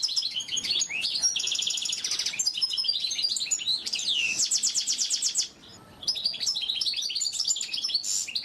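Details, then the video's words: Oriental white-eye song from a masteran training recording: continuous high, jumbled twittering with fast rattling trills and short slurred notes, pausing briefly midway before resuming. "masteran burung pleci"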